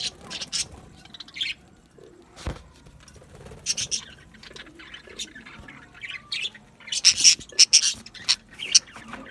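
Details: Parakeets chirping in irregular bursts of shrill, high squawky chips separated by quieter gaps, building to a dense cluster of loud piercing notes near the end.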